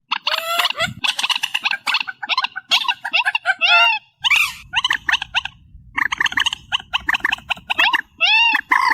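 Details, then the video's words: Reed warbler song, amplified: loud, harsh, chattering phrases of stacked, grating notes and short rising-falling slurred syllables. They run in quick bursts with brief pauses, and low rumbling background noise sits in the middle section. "Tiếng Chim Trích Ré 2024 Bản Tăng Âm"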